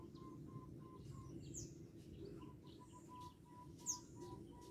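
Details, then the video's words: Local zebra dove, gacor, calling and answering: a run of soft, even coo notes at one steady pitch, a short pause, then a longer run, over steady low rumbling background noise with faint high chirps from other birds. "Perkutut lokal gacor suara memanggil ngejek bikin emosi nyaut"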